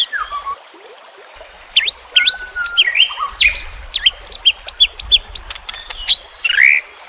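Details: White-rumped shama song from a training track for caged birds. It opens with a few soft notes, then from about two seconds brings bright, sharply rising whistles and slurred phrases in quick bursts, over a faint low rumble.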